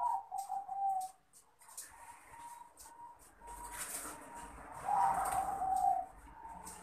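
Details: Male Bangkok crossbred zebra dove calling a rival. Faint, quick coo notes fade in and out, then a louder stuttering coo swells near the end, all against steady background hiss.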